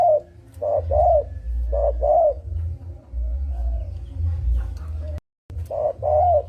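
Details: Lure call of a spotted dove, as used by trappers: a few paired coos, a short note and a longer arched one, partly masked by continuous low rumbling noise, with a silent gap near the end.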